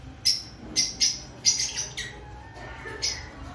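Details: Pre-breeding-season lovebirds in an aviary, a handful of sharp, high chirps spaced roughly half a second apart, each short and harsh.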